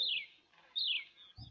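Horsfield's Bronze Cuckoo giving two high, thin, descending whistled notes a little under a second apart, followed by a brief low thump.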